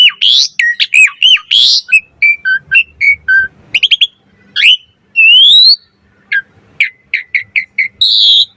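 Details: Asian pied starling song used for luring and training starlings: varied phrases of squawky notes, short whistled pips, rising slurs and a few quick repeated chirps, ending in a bright high whistle.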